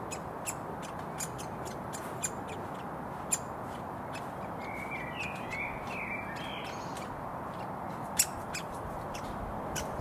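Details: Hungry woodpecker fledgling being fed by a parent in a Surrey front garden beside a road, June: sharp, dry kick-like notes repeated irregularly throughout, with a soft warbling songbird in the middle and a steady traffic rumble underneath.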